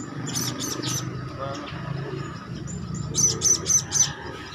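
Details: Hand-fed juvenile Blue-crowned Hanging Parrot calling actively. An opening trio of high, buzzy chirps is followed by a quieter pause with faint squeaks, then four evenly spaced, piercing chirps. A soft low rumble runs underneath.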